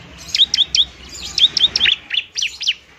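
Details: Fighting bar-winged prinia used for luring and coaxing reluctant birds to sing; crisp, high, down-slurred chirps roughly once a second at first, then quicker clustered notes.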